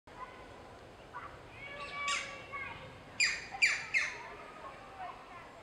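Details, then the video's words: Juvenile European green woodpecker calling at Richmond Park on 6 July 2016: harsh, squawky notes with falling tails, a few spaced at first, then three louder ones in quick succession about half a second apart, over soft outdoor background hiss. "Juvenile Green Woodpecker Calling"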